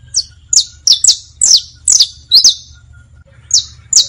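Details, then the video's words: Saffron finch song, meant for teaching young bastos, pintos and finos birds: high, sharply down-slurred chirps in irregular bursts, some doubled, with a short pause before the last two notes over a low steady hum. "Una hora de Cantos para enseñar canarios, bastos, pintos, finos... (Sicalis Flaveola)"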